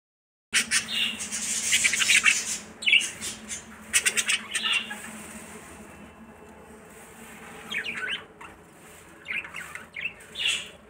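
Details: Budgerigars in a breeding colony during breeding season, early morning, chatter in bright, scratchy chirps and squawks, several birds calling over a low steady hum.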